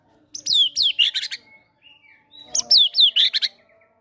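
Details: Caged fighter White-rumped shama's song, used to prompt quiet birds to sing and said to include gelatik batu imitations: two bright phrases of steep downslurred whistles ending in dense rattling trills, with a soft short whistle between them.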